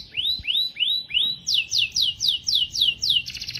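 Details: Canary song with rising whistled slurs repeated evenly, then faster descending chirps about four per second, ending in a rapid buzzy trill.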